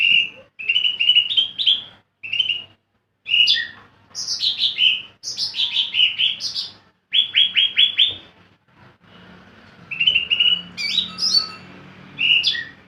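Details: Caged greater green leafbird, a lively ornamental bird singing at its most vocal, delivers a long run of varied whistled phrases: short repeated chirps, sweeping slurred notes and a quick falling series, with brief gaps and faint room noise.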